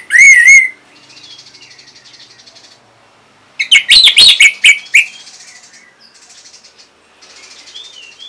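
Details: Orange-headed thrush, a caged bird from northern Bali, used as a song tutor for other birds: loud whistled phrases with fast bursts of varied notes, separated by quieter background twittering.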